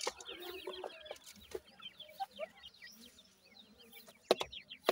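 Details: Five 26-day-old Irani teetar francolin chicks, three females and two males, raised in captivity; a dense chorus of short, high, downslurred chirps repeated rapidly and overlapping, with a few louder sharp clicks and knocks near the end.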